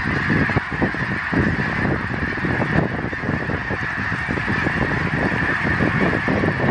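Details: Flock of geese, September 25, 2014, calling together in an unbroken chorus; countless harsh honks overlap into a constant nasal din, loud throughout with no single bird standing out.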